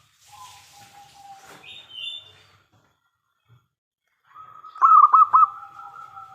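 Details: Local zebra dove in full song, played to draw replies from other doves: a quiet opening with faint tones, then one short burst of three rolling, burry coos near the end over a steady hum.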